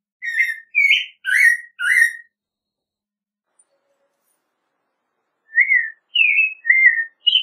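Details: American robin song: four quick caroling whistled phrases, a long silent pause, then four more similar rising-and-falling phrases, clear and isolated with no other sounds.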